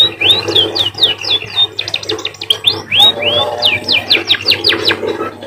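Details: Munia, locally called emprit, singing in a style said to resemble a canary: a fast, unbroken run of high, clear whistled notes, many arched or sharply down-slurred, some in quick trills, over a steady low hum.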